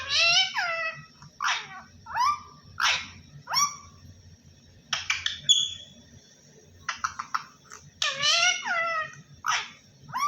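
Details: Parrot imitating speech, given as "Allah Hoo". Repeated harmonic, voice-like syllables, mostly falling in pitch, in groups separated by pauses. It includes a brief high whistle and a pair of rapid clicky notes, over a low background hum.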